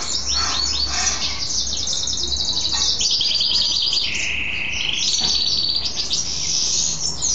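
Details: Hybrid mule goldfinch male singing after a bath, said to keep singing until late evening; varied, continuous warbling with rapid high trills, short chirps and a held lower whistled phrase midway, low electrical-like hum beneath.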